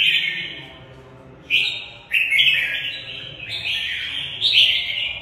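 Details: Fighting song from a caged Mộc bộ red-whiskered bulbul, a sustained warbled note, then jumping rising-falling phrases starting near one and a half seconds, several quick bursts packed close together.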